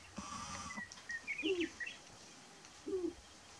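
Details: On a Burwell, Nebraska lek, March 29, 2018, displaying sharp-tailed grouse give low, soft cooing hoots in two separate bouts, between which come a few brief higher chirps and squeaks.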